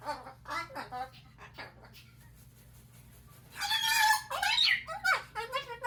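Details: Pet umbrella cockatoo indoors in a small room. After a stretch of human talking comes a burst of loud, harsh, raspy screeches with rough noisy tone, broken into ragged bursts over about two seconds. Speech and a steady low hum are also present.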